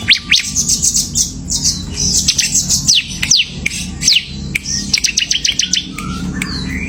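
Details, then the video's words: Ciblek (bar-winged prinia) semi gacor song of descending whistled sweeps, scattered squeaky notes and a fast ticking series of chips, over a soft low hum. "CIBLEK SEMI GACOR"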